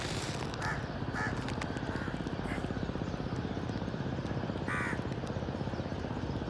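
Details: Crow cawing outdoors: several short, harsh caws spaced unevenly through the first seconds, then a louder caw near the end, over a steady low engine-like rumble.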